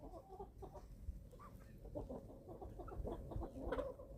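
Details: Young chickens, eleven weeks old, feeding on a German family farm: continuous low, throaty clucking from several birds at once, steady and busy, with a slightly louder cluster of calls toward the end.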